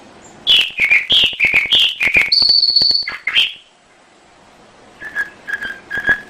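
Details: Canary song recorded as a master for teaching other birds: fast repeated chirping phrases, a long steady high whistle, then after a pause softer repeated lower notes.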